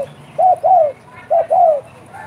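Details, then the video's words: Spotted dove (derkuku) calling actively in the 'bekur' cooing style: two paired coos, each a short note followed by a longer arched, falling coo, mellow and mid-pitched, over a quiet low background hum. "derkuku gacor bekur bekur"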